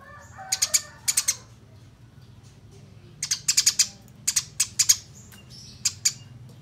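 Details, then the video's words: Eurasian tree sparrows fighting, recorded to train songbirds: clusters of loud, high chirps in quick runs of three to five notes, then scattered single chirps, with a faint low rumble beneath. "Top Masteran Gereja Tarung Ngeroll Abis Durasi Panjang Suara Jernih"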